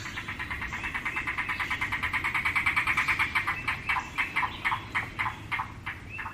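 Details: Yellow-billed Cuckoo, known as the rain crow in the American Midwest, where its call is taken as a sign of coming rain. It gives a long wooden series of clucking notes, fast at first, then slowing into spaced, hollow knocks.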